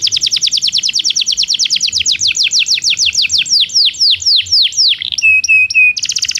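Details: Belgian canary song used as training for canaries that do not sing: a fast rolling trill of rapid downward sweeps, slowing into longer descending notes, then a steady repeated whistle with a pure tone and a closing quick trill; clean, no other sounds.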